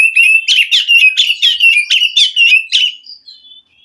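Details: Oriental magpie-robin from the wild forest, sung to rouse a caged bird that will not sing: a fast series of loud, scratchy rising whistled notes, then softer trailing whistles fading out.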